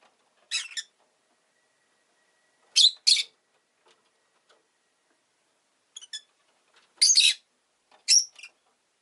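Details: Rosy-faced lovebird giving scratchy, broadband chirps in uneven bursts: one, a close pair, a faint flicker, then two louder raspy squawks about a second apart, with a faint thin tone early on.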